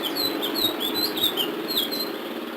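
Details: Ledekan laut singing a song of the sulingan biru style, with short high whistled notes rising and falling in quick runs over a steady band of background hiss.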